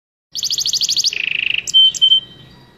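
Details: Red canary singing a rapid run of bright, high trilled notes, dropping into a lower rolling trill, then ending on two clear whistled chirps.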